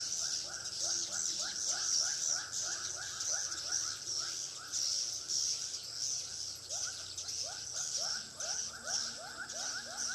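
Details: Swiftlet lure sound played in a three-storey swiftlet house in Pekanbaru: quick rising chirps repeated about twice a second over a steady high, hissing chatter that runs throughout.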